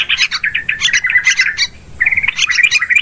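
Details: Yellow-vented bulbul lure call used for hunting birds in forest, rice fields and plantations; busy bubbly chattering phrases of quick notes, a brief pause near the middle, then the chatter resumes.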